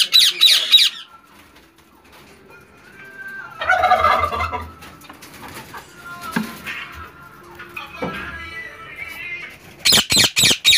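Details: Rose-ringed (green ringneck) parakeets in a colony breeding setup with chicks and breeder pairs give short bursts of harsh, rapid, high screeches that open and close the passage, with softer chatter, fluttering and faint tonal sounds in between.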